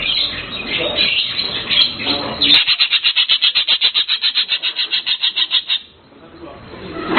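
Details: Blue cucak keling chirping: a fast, even run of sharp high notes, about three or four a second, after a noisier, more jumbled opening, then fading out.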